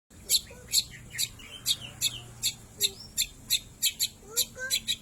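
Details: Long-tailed shrike singing an imitation of lovebird calls: sharp, high, harsh chirps repeated roughly every half second, with a few softer low whistled notes between them and a faint background hum.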